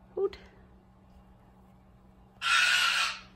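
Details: A male pet Goffin's cockatoo, perched on top of a cabinet wanting attention and making new noises, gives one loud, harsh, raspy screech lasting almost a second, after a brief voice-like note at the start.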